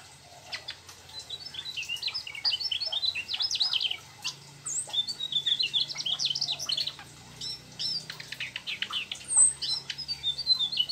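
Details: Mugimaki flycatcher delivering a long, continuous rolling song said to contain sooty-headed bulbul mimicry; busy streams of high squeaky chirps and fast twitters in several extended bursts, briefly pausing, over a soft low hum.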